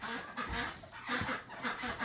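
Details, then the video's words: Several domestic ducks coming in at sundown as the sun starts to go down: overlapping harsh, nasal quacks and honk-like calls blending into a broad rushing background noise. "all right the sun's starting to go down and it sounds like the Ducks are about to come in oh here they come"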